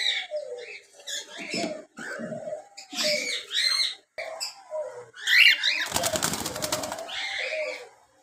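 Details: Cockatiels, young birds flying in an aviary-style colony cage, chatter with bright, squeaky chirps and short whistled calls, with a burst of wing flapping.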